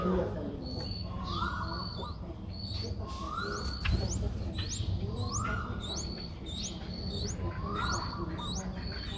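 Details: Begging of a Streak-eared Bulbul nestling aged six days, recorded 8 April 2023 in Ubon Ratchathani, Thailand: regular high thin whistles nearly every second, alternating with rising slurred notes about every two seconds, plus a brief knock.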